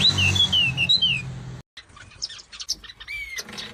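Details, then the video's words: Bird giving clear, downslurred whistled chirps in a short run over low rumble, followed after a cut by scattered thin high calls. "Bird Chirps | Stress Relief | Relaxing Birds Sounds"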